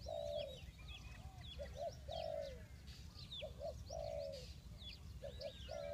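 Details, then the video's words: Spotted dove cooing to attract wild birds to a trap: alternating long even coos and quick paired notes roughly every two seconds, backed by constant high chirping from other birds. "The Sound Of dove"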